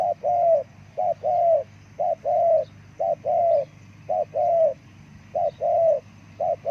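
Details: Repeated cooing of a spotted dove, a call for luring wild birds: a short clipped coo answered by a longer, smoother coo, cycling regularly roughly every second against a quiet humming background.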